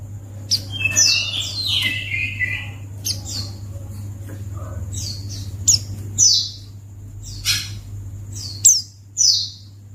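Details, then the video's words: White-eye call played to make white-eyes answer: a loose series of sharp, high, descending chirps, some doubled and some in quick bursts, spaced irregularly over ten seconds, with a low steady hum throughout. "Pleci Akan Langsung Merespon Memancing Bunyi Burung Pleci"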